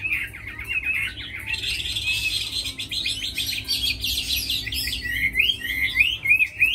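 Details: Tamed fighting Chinese hwamei, noted for its fine singing, gives fast repeated trills that run into a jumble of buzzy and whistled notes, ending in bright rising-and-falling slurs.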